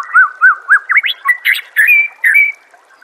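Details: White-rumped shama (murai batu) master song for training caged birds: a crisp series of about eight looping, whistled notes at a steady pace, ending in two clear, sustained whistles.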